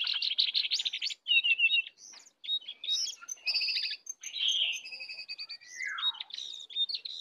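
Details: Wild and caged sooty-headed bulbuls in a heated singing contest with full isian: dense, varied chattering phrases, quick slurred whistles and a descending buzzy sweep near the end.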